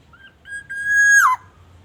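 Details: Lure song of a black-naped oriole from Aceh, played to prompt wild orioles to call: a short introductory note, then a loud, sustained mellow whistle with bright overtones that breaks into a quick falling slur.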